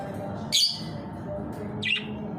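Budgerigars give two short, bright chirps against a steady low indoor hum.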